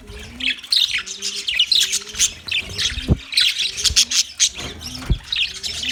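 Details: Budgerigars on 9 March 2024 keep up lively high twittering and squeaky chatter in rapid bursts, over low drawn-out tonal notes and a few short thuds.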